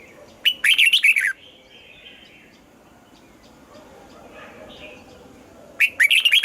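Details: Red-whiskered bulbul in morning voice training, urged to sing a double-note, mature forest-style song: a loud burst of rapid warbled whistles, then a long quiet pause with faint background hiss before a second similar phrase.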